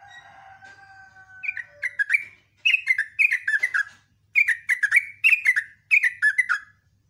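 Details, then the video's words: Sooty-headed bulbul in lively morning song, ropel and nembak style: after a faint steady whistled tone, a run of repeated bubbling, falling notes delivered in three quick bursts with brief pauses. "TRUCUKAN ROPEL NGECRUK, NEMBAK"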